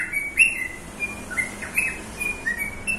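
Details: Bird singing clear, high whistled notes and short chirps, spaced irregularly, with faint background hiss.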